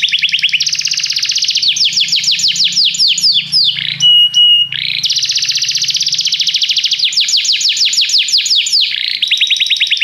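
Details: Canary song for training: fast repeated trills and sweeping notes, broken briefly by a pure steady whistled tone, then more rapid trilled phrases; a faint low hum runs underneath.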